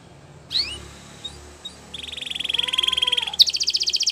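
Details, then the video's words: Belgian canary during a training session, a few faint whistled notes giving way to a long pulsing trill that speeds and rises into a higher rattling roll near the close. "The best canary training | Belgian canary"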